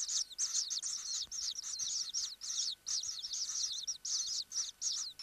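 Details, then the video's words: Common kingfisher in its nest burrow giving bursts of piercing, high, twisting chirps, each group lasting a fraction of a second with clean silences between, sounding urgent and repetitive. "Hlas ledňáčka (Alcedo atthis), Kingfisher"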